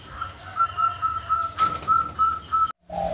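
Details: A captive zebra dove (top-top perkutut), kept in a cage with two others, gives an unusual call, not its usual cooing song; the owner is unsure what it reacts to. A steady, mid-pitched whistled note pulses in quick, even beats, then a lower tone.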